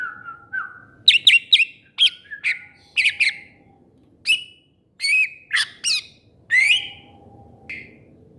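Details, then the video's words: Greater green leafbird giving a lively, varied run of short sharp chips and slurred squeaky notes at mid-high pitch. The phrases come in quick bursts with brief pauses, opening with a lower whistled note, against a quiet background. "Burung Cucak Ijo"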